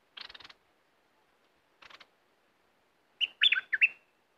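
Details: Caged red-whiskered bulbul, a fierce competition bird, gives two short bursts of harsh rattling chatter, then a clear bubbly phrase of quick, rising and falling notes.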